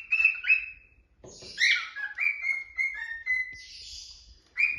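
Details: A pet cockatiel perched above curtains sings clear whistled phrases mixed with warbling chatter and a few harsh, buzzy notes.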